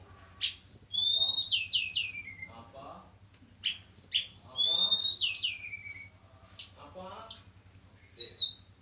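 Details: Javan mountain snowy-browed flycatcher, kept for pairing, sings short bright whistled phrases of rising and falling slurs repeated every couple of seconds over a faint electrical hum.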